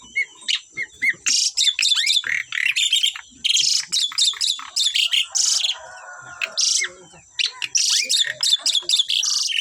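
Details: Very vocal Asian pied starlings, a pair, pour out a continuous series of loud, clipped, squeaky and screechy notes in quick bursts. A brief quieter stretch comes mid-way, and a high electronic whine runs under it all.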